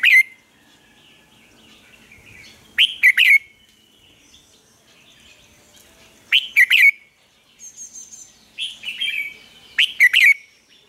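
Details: Caged lure red-whiskered bulbul in Vietnam, used to draw song from newly caught birds, sings loud three-note whistled phrases roughly every three to four seconds, interspersed with quieter chattering notes.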